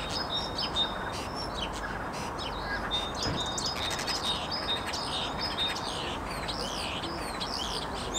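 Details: Common starlings, three together, singing a dense mix of clicks, rattles and buzzy squeaky notes with thin sustained whistles, over steady low noise.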